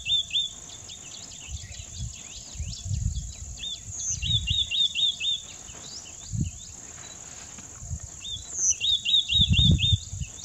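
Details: White-naped tit giving several bursts of rapid, repeated whistled double notes, with scattered sharp chirps between phrases, a constant high-pitched insect hum and occasional low rumbling noise.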